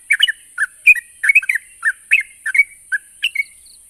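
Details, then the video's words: Yellow-vented bulbul song for coaxing quiet birds to answer: lively bouncing chirps and liquid whistles in irregular short groups, about a dozen over a few seconds, with a continuous faint high hiss. "Burung trucuk macet bunyi dan mandek pasti nyaut dengar suara burung trucuk ini"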